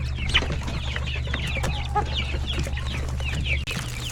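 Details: Crowded chicken coop with roosters and many chicks at lunchtime: rapid, overlapping thin downslurred peeps from chicks, a brief short tonal note near the middle, scattered clucks and pecking taps, all over a constant low droning hum.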